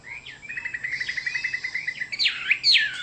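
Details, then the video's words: Chinese hwamei song: a fast series of short even whistled notes repeated about ten times, then louder rich slurred and buzzy phrases near the end. "Chim họa mi đẹp và hót rất hay"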